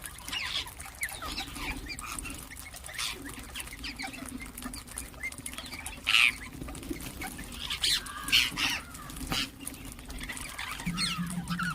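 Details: Ring-necked parakeets chirping and calling, brief sharp high notes coming singly and in small clusters at irregular intervals, set against a constant low droning hum.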